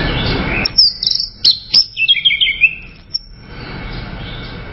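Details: Orange-headed thrush (Geokichla citrina), song.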